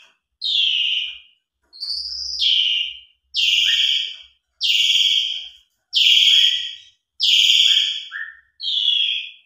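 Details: Asian pied starling in lively song for luring quiet birds into singing. Strong, downslurred whistled notes are repeated roughly every 1.3 seconds, some followed by a short lower chirp.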